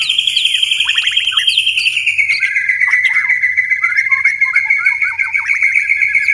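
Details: White-rumped shama at night holding a long steady whistled note that slides slowly downward for several seconds, with quick flicking chips and short twitters scattered over it.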